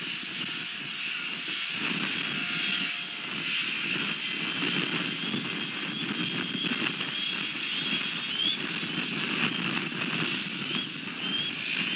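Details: A steady aircraft-like engine drone with outdoor background noise is heard throughout, and no animal voice stands out.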